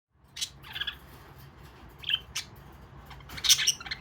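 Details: Pet budgerigars give short, scratchy chirps and squawks in scattered bursts over a low background hum, as two of them run around to avoid going back into their cage.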